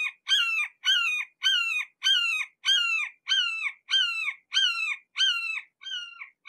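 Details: Red-shouldered hawk at close range, calling an insistent, evenly paced run of about eleven clear, descending squealing notes, nearly two per second, fading slightly toward the end.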